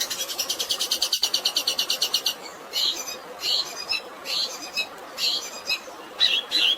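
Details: Long-tailed shrike fighting song filled with sparrow-like phrases, used as training material, over a steady hiss of natural water: a fast, even trill of sharp high notes for two seconds, then separate chirpy bursts.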